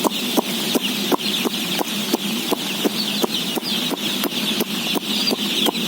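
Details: Day-old chicks, around 17,000 of them, peeping while being fed. A constant high twittering mass runs beneath sharp mechanical clicks repeating about three times a second, likely from feeding equipment, over a low background hum.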